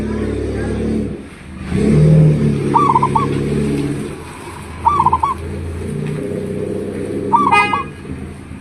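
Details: Local zebra dove, its big-voiced call used as a lure so other doves answer: three short trilled coo phrases about two seconds apart, partly masked by loud low rumbling background noise.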